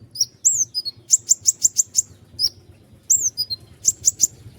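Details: Common iora in full song with sharp, fast shots, used to tutor other songbirds; high, piercing chirps race in a rapid burst of about eight notes, pause, then resume in quick clusters over faint low background hum.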